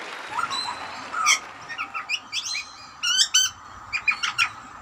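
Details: A wild young butcherbird, unusually unafraid of a person, gives a varied run of short squawky and whistled notes, some rich and harmonic, in quick uneven bursts over faint hiss; the observer thinks it is complaining about earlier food.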